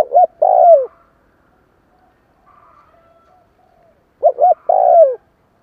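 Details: Decoy spotted dove cooing to spur newly caught doves: two rapid notes and a long descending coo, repeated after about four seconds. A faint distant twitter sounds in the gap.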